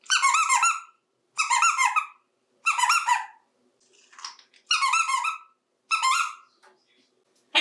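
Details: A 28-year-old male African grey parrot talks while playing with toys in the bathtub, repeating squeaky, nasal, speech-like phrases such as "Hi" in different voices, five bursts wavering in pitch, with soft murmurs between.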